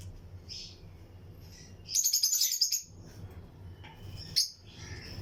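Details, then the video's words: Lutino lovebirds in a breeding colony aviary with other birds nearby: a dense, rapid burst of high chattering chirps lasting under a second, then a single sharp chirp and faint twitters over a low hum. "Lutino Lovebirds Breeding Colony Cage - Chirping and Relaxing Sound"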